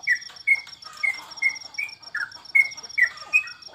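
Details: Trucukan, the sooty-headed bulbul, singing at home while contests are paused during the COVID period. Crisp repeated whistles, some bending downward, come about twice a second over a rapid high ticking that never stops.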